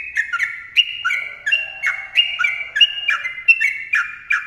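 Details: Sooty-headed bulbul singing a continuous 'ropel' song of bubbly, down-slurred whistles in quick succession, with a faint low hum running underneath for a couple of seconds.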